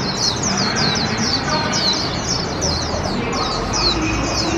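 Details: Hand-raised warbling white-eye, 1 year 8 months old, on its first park outing of 2021: fast, high, downslurred twittering notes run without pause over the loud, broadband din of an outdoor glove-puppet opera performance nearby.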